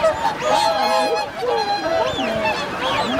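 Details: Swans on Lake Hyoko, Niigata Prefecture, 8 January 2022. Repeated resonant honks over a dense backdrop of many calling birds, with some softer, lower dipping calls mixed in.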